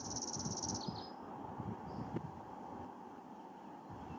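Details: Dark-eyed Junco, from a Truckee Meadows, northern Nevada birding-by-ear talk, singing its trill: one note repeated very fast for under a second, then two short closing notes, over a steady background hiss.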